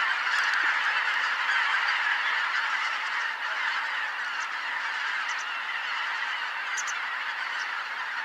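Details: Roost-bound flock of greater white-fronted geese at Kotomo Pond at dusk, 13 October 2019, 17:25. Loud, continuous honking chorus from many birds, strongest at first then easing slightly, with a few faint high clicks.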